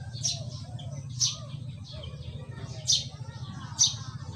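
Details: A pipit in the Philippines sings with sharp, high, thin chirps, four spaced about a second apart, over a steady low rumble of wind or distant traffic.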